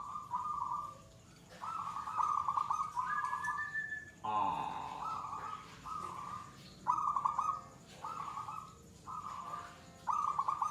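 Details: Settled local zebra dove (perkutut) singing its gacor stage, long-bout song: a steady run of about eight short, trilled cooing bursts at an even pitch, with a brief harsher, lower sound midway.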